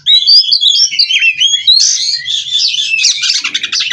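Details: Caged kacer, a White-rumped shama of Cirebon stock, rolling its song: a clear descending whistled phrase flows straight into a dense, buzzy, rattling chatter.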